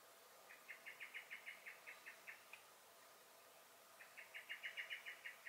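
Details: Alarm calling from a common blackbird (Turdus merula) in a garden, recorded 23 May 2021: two long runs of quick, hard chink-like notes, the first about a dozen strong, separated by a short pause.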